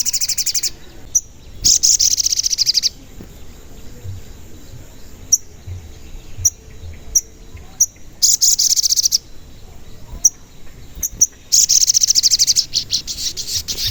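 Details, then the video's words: Crimson sunbird (sogon), an energetic singer often giving 'cuit cuit' notes, used as a lure for other sogon: repeated long bursts of rapid shrill trilling alternating with clusters of sharp, very high single chirps. "Pancingan Sogon Agar Bunyi dan Emosi"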